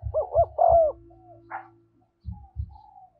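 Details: Decoy spotted dove cooing to bring wild doves in: a rolling, deep coo phrase over low, rhythmic thumping beats, then a faint, thin, drawn-out note at the end.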